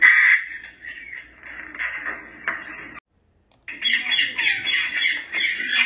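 A grey parrot gives harsh, raspy squawks and chattering calls in quick bursts, with a brief silent break midway.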